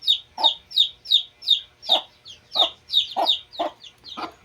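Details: Two-day-old Shamo chicks peeping: a rapid series of high, shrill, downward-slurred peeps, about three per second, some notes paired with lower rough chirps, continuous and slightly irregular.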